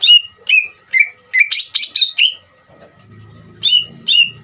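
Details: Greater green leafbird giving ngeriwik song meant to excite other birds into frequent singing: a rapid run of sharp descending whistles, some buzzy and harsh, a pause with low rumbling, then two more whistles.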